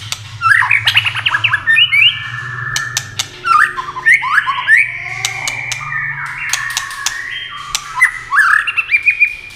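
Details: White-rumped shama singing in competition at speed, wing-flashing and tail-flicking continuously; loud varied whistles, slurs and chattering bursts come in waves, with sharp clicks and a low background hum.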